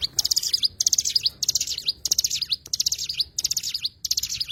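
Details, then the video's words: Energetic high twitters of the Oriental white-eye, or cigun: dense bursts of quick notes, some ending in downward slurs, following one another about every half second. "burung cigun"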